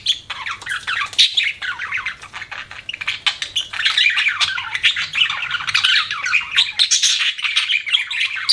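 Budgerigars chatter nonstop in a dense jumble of scratchy squawks, clicks and high warbling chirps, several birds overlapping without pause.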